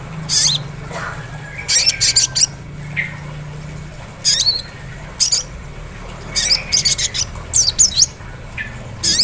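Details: Sunbird in the ngleper song style, played as a lure to provoke a sunbird into ngriwik singing: short, harsh, buzzy high bursts in uneven clusters, with a faint low hum beneath.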